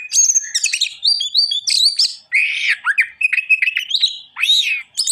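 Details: Oriental magpie-robin, a kept bird in full gacoran song: a dense, rapid stream of varied whistles, sharp chips and buzzy slurred notes jumping between high and mid pitch with barely a pause.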